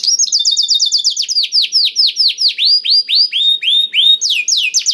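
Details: Clear high song of a black-throated canary meant to spur other canaries to sing, a quick trill giving way to evenly spaced, ringing downward-curving whistles about four per second, then rising slurs.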